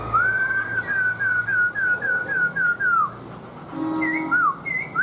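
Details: Kept black-throated laughingthrush singing while displaying with its tail fanned: a run of about ten clear, whistled, slightly falling notes repeated in quick succession, then a few higher whistled phrases, over a low background hum.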